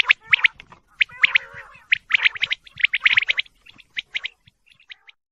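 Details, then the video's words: High quail chirps come in tight clusters with a rough, buzzy undertone. The calls thin out to sparse, quieter peeps by the end. "quail bird sound /quail sound male/ sounds quail/100 quail sound/quail calls sounds/quailbird sound"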